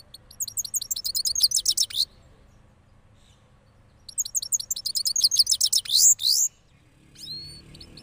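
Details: Cross goldfinch after moulting singing a rolling song: two bursts of rapid high twittering trills and chirps, the first about two seconds long, then a pause before a longer, louder run ending in a sharp note.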